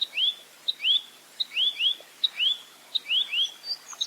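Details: Velvet-fronted nuthatch singing in full 'roll tembak' style, clean and clear: a rapid series of paired upward-swept whistles, each pair led by a sharp tick, about six phrases in quick succession.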